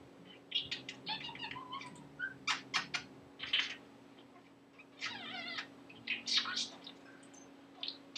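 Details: Talking pet budgerigar that has learned new words and phrases and random laughter; a run of short bursts of buzzy, warbled chatter with sharp clicks and high rasping notes in a quiet small room.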